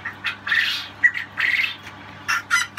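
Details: Newly hatched quail chicks, on the day of hatching (13 May) after a 12-hour incubator power cut, run about a mesh-covered hatching tray, giving shrill, high peeping calls in quick bursts about half a second apart, with faint voices and handling noise.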